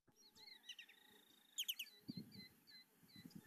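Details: A Short-billed Dowitcher gives its diagnostic laser-gun-like call, a quick, high, descending triplet of clipped "tu-tu-tu" notes; other small birds chirp and a thin steady whine runs behind.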